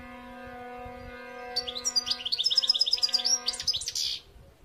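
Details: European goldfinch song, a lively run of fast, bright twittering and trilled notes building over two seconds, sung over a constant low humming tone.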